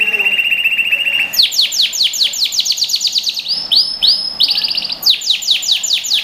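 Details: Canary song used to train young birds: a steady high trill opens, then a rapid run of sharply falling, whistled notes, a few drawn-out rising swells, and another fast descending series.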